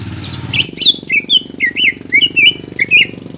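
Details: Greater green leafbird song played to rouse a caged bird that will not sing: quick twisting whistles and chirps in an uneven run, with a steady engine-like rumble underneath.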